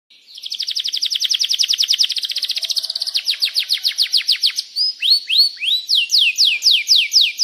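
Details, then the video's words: Canary song used as a lure to prompt other canaries to sing: long rapid trill of repeated high notes that slows into louder, separated downward-sweeping whistles toward the end. "Masteran Suara Burung Kenari Gacor Panjang cuit cuit Ngeroll untuk Pancingan Kenari"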